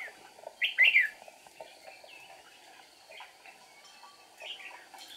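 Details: Trapping-session red-whiskered bulbul, a decoy bird singing on 8 April 2019 to challenge wild rivals with wing and tail flicking; one bright, loud warbled burst near the start, then sparse quieter notes.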